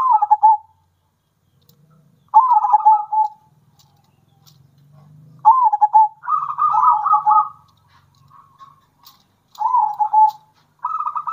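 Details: Local zebra dove singing bekur and kerot phrases, meant to provoke other doves into song: stuttered rolling coos, one longer trilled run mid-way, and a faint low hum in the background.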